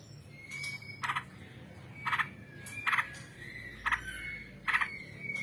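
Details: Trucukan, the sooty-headed bulbul, giving 'ngebrem panjang' singing: harsh buzzy bursts about once a second, linked by thin steady whistled notes in between, with a quiet background.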